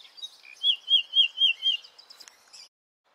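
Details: Common nightingale with a powerful trill, singing by flowering orchids in a shady spot: five loud, evenly spaced rolling notes at a medium-high pitch, followed by softer chattering notes and an abrupt end.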